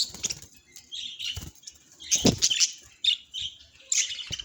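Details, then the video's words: Cheerful budgerigar chirping in high, scratchy notes amid soft wing flutters and a thump, with brief squeaks toward the end. "Happy Budgie Vibes Chirpy Sounds"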